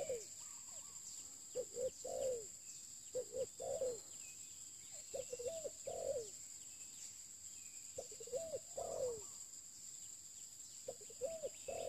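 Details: Spotted dove, a new bird used for luring, giving low hollow coos in short two- and three-note phrases repeated every one to two seconds, over a steady high insect whine.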